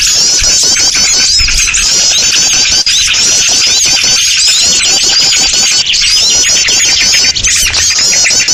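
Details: Small birds packed into a loud lure sound used to attract birds: relentless high twittering and wavering trills from many birds, no pause.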